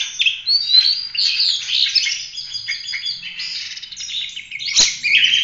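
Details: Oriental magpie-robin pouring out dense training song for other birds, a stream of scratchy chirps, rasps and whistled slides, with one sharp click near the end.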